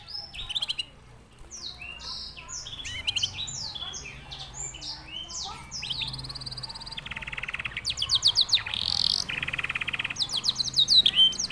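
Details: Canary singing a varied song said to resemble a Senegalese songbird: quick high upslurred notes at first, then buzzy mechanical rolls and fast trills building louder toward the end.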